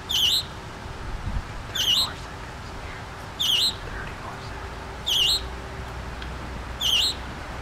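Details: Baby scarlet tanager singing at Memorial Park in New Kensington, PA, giving a steady series of five brief, high, wavering notes, one roughly every 1.7 seconds, over a faint low hum and background hiss.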